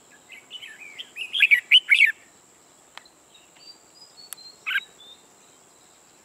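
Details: A new decoy red-whiskered bulbul kept for trapping sings ché style: soft warbling builds into a loud burst of three sharp, slurred whistled notes, then scattered quiet chirps and clicks. A constant faint high-pitched whine runs underneath.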